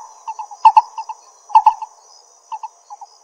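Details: Lesser coucal (Centropus bengalensis) in Pingtung County, Taiwan, on 22 May 2016, giving short, hollow low notes, often in quick pairs, about once a second, over a steady high insect whine.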